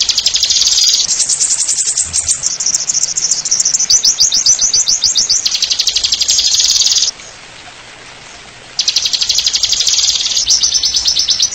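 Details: Oriental white-eye masteran song, ngeriwik nyembur style: extended high buzzy trills in several blocks, one of quickly repeated slurred notes, a silent pause after seven seconds, then the trilling resumes.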